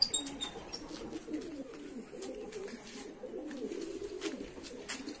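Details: Domestic pigeons in a home loft where four stray pigeons had joined the flock, giving a continuous low murmuring coo throughout, overlaid with scattered clicks, wing and shuffling noises.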